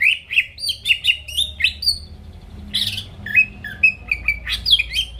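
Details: Greater green leafbird, a lively singer used as a lure to rouse rival birds into singing. Quick bright whistled notes and chirps, many sliding downward, pause briefly mid-phrase, then resume as varied chattering whistles.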